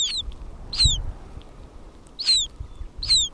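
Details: Newly hatching Hudsonian godwit chicks call from inside their shells, bills opening, at Churchill, Manitoba in July 2010 while their mother is banded nearby: thin, high, downslurred peeps, often paired, about once a second over low rumble.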